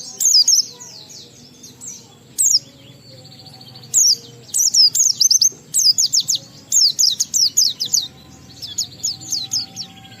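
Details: An Oriental white-eye in energetic ngalas song with riwikan fill, used to spur other white-eyes into song. High, thin twittering comes in bursts of quick slurred notes, broken by short quiet gaps, over a soft background hum.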